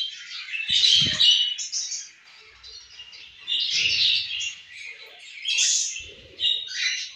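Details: Pet budgies together at their food give bursts of bright twittering chatter roughly every two seconds, each a cluster of squeaky whistled chirps, with quieter gaps and faint low knocks between.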